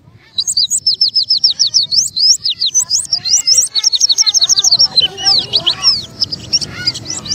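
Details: Oriental white-eye, known locally as pleci, in the song style called buka paruh: a rapid, high-pitched twittering of sharp rising and falling chirps, delivered almost continuously in quick bursts, with a faint low background hum.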